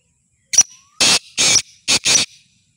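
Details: Full call of a black francolin for sale: an opening short chirp, then four rough, wide-band rasping notes delivered rapidly, the final pair nearly joined, with no other sounds.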